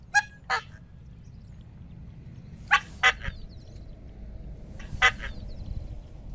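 Coscoroba Swan giving loud, nasal trumpeting honks in short pairs, a couple of seconds apart, over a low background rumble.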